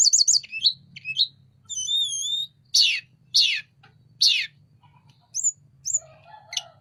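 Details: Sunda robin singing vigorously with wings spread: rapid high chips, a wavering whistle, three harsh rasping downslurred notes, short rising whistles and a low burred note at the end.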